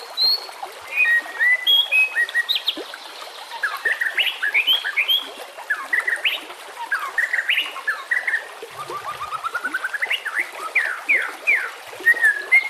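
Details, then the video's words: Varied white-rumped shama song for training caged shamas, with nature sounds: rich whistles, slurred rising and falling phrases, quick chattering runs and a long ascending series of notes, delivered in bursts with short gaps. "Dengan CEPAT murai batu AKAN EMOSI dan IKUT GACOR dengan masteran murai batu ini"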